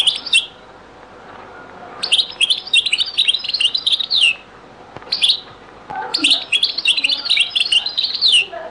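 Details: European goldfinch in Beni Messous 'les avocats' (zaboka) song style, from a very old recording: rapid jingling, buzzy twittered strings in two main runs, broken by brief pauses and an isolated sharp chirp.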